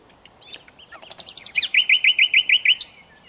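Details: Nightingale in song: faint scattered notes building into a quick chatter, then a clear series of eight rapid, identical looping notes before the phrase stops.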